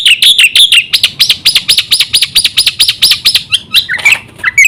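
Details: Black-winged myna in full song, used to lure other mynas into singing: a fast series of loud, high arched whistled notes repeated about four times a second, opening with trilled phrases and ending in harsher scratchy notes.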